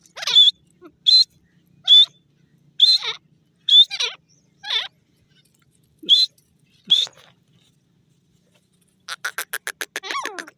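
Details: A grey francolin in forest gives a run of shrill, clipped whistled calls roughly one per second with small pauses. The series ends in a rapid burst of dry clicking pulses.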